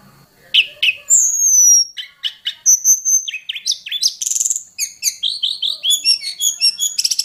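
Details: Hill prinia from the mountain forest in full varied song, a quick mix of high thin whistles, clipped chips and dense twittering runs that speed up toward the end.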